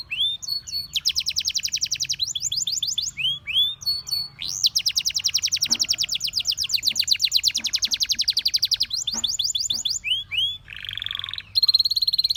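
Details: A canary sings long rolling tours: curved whistled notes, then an extended rapid high trill lasting several seconds, more chip runs, and a lower buzzy phrase before a final bright trill.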